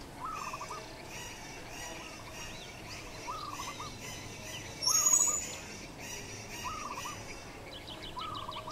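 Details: While eating fruit, a Yellow-vented bulbul gives short bubbly phrases repeated roughly every second and a half, with high twittering from other birds and one brief louder sound midway.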